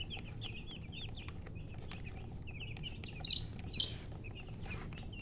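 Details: Chicken chirps, busy and high, with short rising-falling peeps running continuously and a couple of louder sharper notes near the end, over a steady low background rumble.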